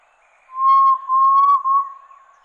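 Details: Red-legged Tinamou song: a single long, pure whistle held steady for about a second and a half, faintly wavering and broken once in the middle, with quiet background.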